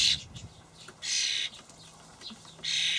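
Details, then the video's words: Fledgling common starlings begging as parents deliver dried buffalo worms in a Hamburg garden; two drawn-out hissing rasps, one near the start and one at the end, with a low hum underneath. "junge Stare (Sturnus vulgaris)"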